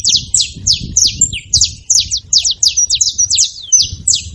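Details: Saffron finch making noise: a rapid series of sharp, high, down-slurred chip notes, about four per second, clustered in short bursts with brief gaps.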